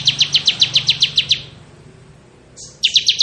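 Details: Bar-winged prinia (ciblek kristal) singing in ngebren style, for tutoring magpie robins: a quick series of nine sharp, high chipping notes, a pause, then another rapid run begins, over a faint low hum.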